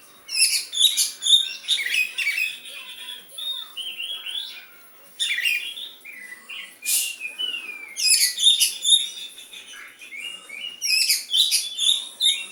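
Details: Oriental magpie-robin singing in a bulbul-like style, imitating a sooty-headed bulbul: dense bursts of bright, high chirps and rapid twittering phrases, pausing briefly between loud clusters.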